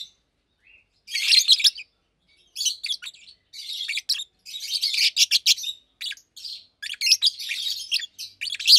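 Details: Two adult Fischer's lovebirds, about two years old, one pastel green with orange face and one blue with white head, caged, chirping by day: bursts of harsh, buzzy high chirps in clustered phrases separated by short pauses.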